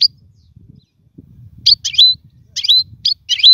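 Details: Caged European goldfinch singing, kept as a tutor for teaching young birds to sing; short bursts of high twittering notes with a clear whistled note ending each phrase, separated by brief pauses, with faint low rumble beneath.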